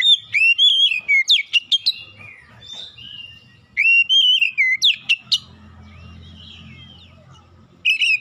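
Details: Oriental magpie-robin (kacer) on a recording meant to spur silent birds to sing: rapid bursts of clear whistles and sharp piercing notes in three phrases, with quieter twittering and a low hum between them.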